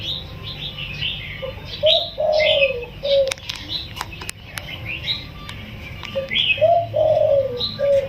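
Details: Spotted dove recently taken from the wild and kept caged for 16 days, giving soft, gentle coos in the single-kuk throw style; two bursts of low hooted phrases, separated by sharp clicks, with many small birds chirping in the background.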